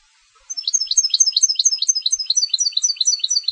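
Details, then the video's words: Competition European goldfinch song: after a brief silence, a fast, unbroken stream of high, bright chirping twitters, each note sliding and repeated about twice a second, on a quiet background. "Canto del Jilguero de Concurso"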